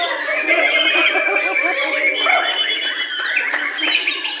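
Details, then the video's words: White-rumped shama (murai batu) pours out a dense, nonstop song of rapid chattering notes mixed with clear sustained whistles, full and varied throughout. "Burung Murai batu Brutal"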